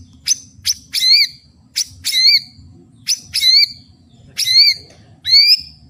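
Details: Spirited White-rumped shama singing at full volume, repeating a short phrase of sharp high clicks followed by a ringing whistled flourish, about five times; faint low hum.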